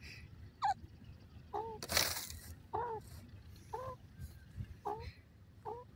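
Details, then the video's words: Male dakhni teetar (francolin) repeating clear, upward-curving notes with a strong overtone about once a second, interrupted by one loud broadband rustle or blow, with a low rumble underneath. "teeter sound male,teetar ke voice,dakhni teetar defferernt sounds"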